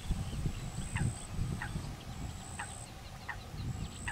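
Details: Female common pochard standing guard over feeding ducklings; quick clipped calls repeat several times, about every half to one second, over louder low rumbling noise and an intermittent high whine.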